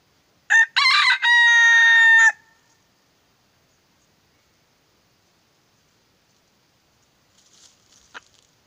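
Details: Red junglefowl decoy bird, a purebred molting rooster kept for trapping wild junglefowl, gives a single loud crow lasting about two seconds. A short opening burst leads into a sustained, harsh, rasping final note, then near silence with faint rustling.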